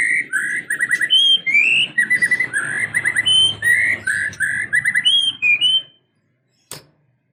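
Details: White-rumped shama in full, fighting-mood song: about six seconds of rapid warbled whistles and rising slurred notes over a low hum. Then silence, broken by one sharp click.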